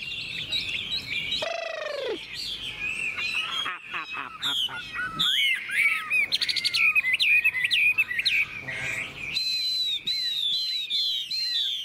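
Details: Caged Chinese hwamei singing in morning sun after a feed of fresh food, a tame bird for sale: rapid varied whistles and chirps with sharp upslurs, broken by a lower, drawn-out descending note near the start.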